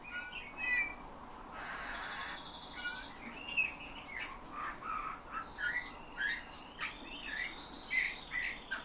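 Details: Hand-trained caged bullfinch imitating human whistling plus nightingale and thrush phrases; a steady drawn-out whistle runs across the middle while quick chirps and twittering notes come in a string of soft bursts.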